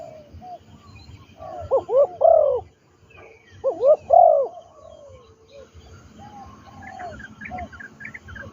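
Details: Spotted dove, a trained captive decoy bird used for luring wild doves down to the ground in Thailand, giving two loud bursts of deep, rolling, bowed coos, each a short cluster of three or four notes, separated by quiet gaps.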